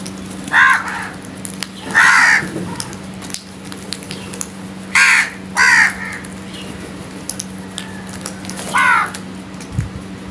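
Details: Crows calling in the morning among other birds: five harsh, drawn-out caws spaced a second or more apart over ten seconds, against a steady low hum and faint chirps.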